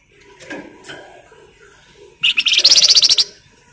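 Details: Lure recording of a flamboyan bird in full song, meant to prompt other birds to sing: soft low notes at first, then a loud, high, rattling burst of quick pulses lasting about a second.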